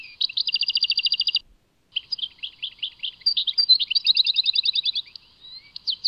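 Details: A European goldfinch sings in the Tadmait style, opening with a fast even trill of repeated high notes, pausing briefly, then delivering scattered sharp chirps that build into twittering and another rapid rattling run.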